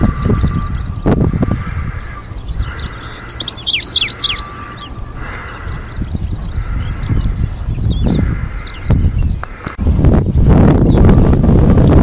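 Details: Middendorff's grasshopper warbler (Locustella ochotensis), breeding in Hokkaido coastal flower meadows, 2023, gives a brief burst of quick, chirping high notes over a heavy rumble of wind, with a thin steady tone running underneath.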